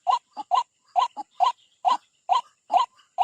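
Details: A white-breasted waterhen attacks its rival at a bird trap, giving loud, harsh, nasal double croaks that repeat in a tight, regular rhythm, about eight in just over three seconds.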